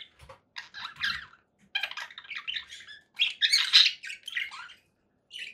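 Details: Conure parakeet chattering: grating squawks and chirps in uneven bursts, with one louder harsh cluster near the middle and faint low knocks early on.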